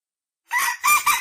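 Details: Rooster giving a single harsh crow in a yard; the clip opens in silence, then a rough, buzzy crow in broken segments, cut short at the end.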